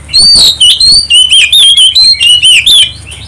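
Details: Oriental magpie-robin singing to provoke other birds into song, a continuous run of loud, piercing whistles, each note sliding slightly, delivered about four per second without pause.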